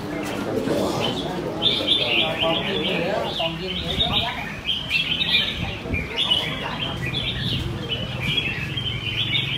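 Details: Sunday-morning singing contest of caged red-whiskered bulbuls, Quy Nhon, Vietnam, 21 June 2020. Voices talk at first, then dense, rapid whistled warbling takes over and carries on steadily to the end.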